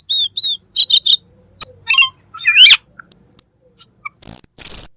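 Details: Black magpie, called cucak keling, singing in a recording meant as a model for cage birds: high ringing whistled notes, a rising scratchy slur, then loud harsh hissing bursts at the end.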